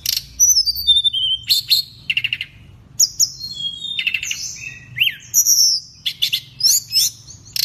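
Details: Energetic song of a pygmy cupwing from Indonesia, a rapid run of high sharp chips, slurred falling whistles and rattling buzzy phrases, packed closely together with a steady low background hum.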